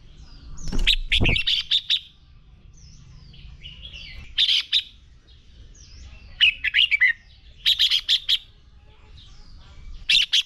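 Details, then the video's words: Red-whiskered bulbul singing a fighting song for training: bursts of bright, chattering whistled phrases come in clusters separated by short pauses, with a low thump near the start. "Chào Mào Hót Đấu Kích Bổi Lên Lửa. Luyện Chào Mào Sổ Giọng Hót Căng Lửa."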